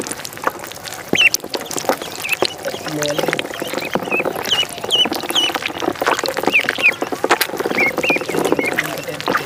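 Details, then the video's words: Ducklings in a pond give many high, thin peeps in quick scattered bursts, with a lower nasal call near the start and a busy outdoor background. "Duck Sound duckling in the pond -duck quack"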